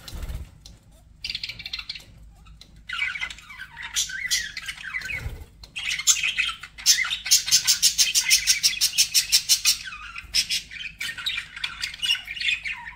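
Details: Budgies chirping in a group: scattered squeaks at first, then a fast run of sharp, evenly repeated clicking chirps for several seconds, followed by mixed warbles and squawks.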